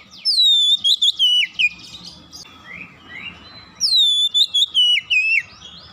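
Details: Oriental magpie-robin song played as a lure to make birds sing: two loud phrases of bright whistles sliding downward, separated by softer warbling, over a faint low hum.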